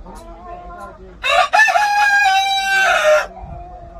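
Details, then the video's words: Korean native rooster crowing: after a soft low lead-in, a loud, strained cock-a-doodle-doo with a brief break then a long sustained wavering note of about two seconds, ending abruptly; faint clucking before and after. "수탉 울음소리 꼬끼요~~~ 암탉 울음소리 꼬꼬꼬댁!!!"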